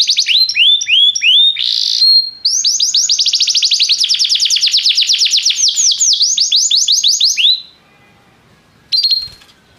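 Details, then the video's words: Restless canary in full song: a few looping whistled notes lead into a long, fast, rattling trill of high swept notes, then a pause and a short bright burst. "o canário cantava inquieto"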